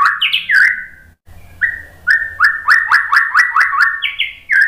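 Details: Provoking white-rumped shama song for other birds: clear whistled notes, then evenly spaced sharp chirps about three a second, rising to a higher pair at the end.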